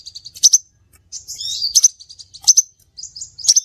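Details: Scarlet minivet lure sound: high, thin twittering notes broken by strong, sharp chirps at roughly one-second intervals, with a brief buzzy slurred phrase in the middle.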